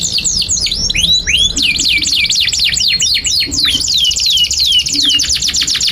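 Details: Canary song, long continuous singing of the kind used to tutor young canaries: fast series of high downward-sweeping notes, rapid trills and repeated slurred phrases, loud and unbroken throughout.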